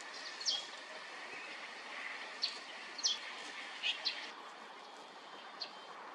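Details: Male Tiger shrike, a rare summer visitor to Korea, recorded in mid-May 2024; sharp, high, clipped chirps given singly at irregular intervals, about six in six seconds, over a steady hiss of background noise.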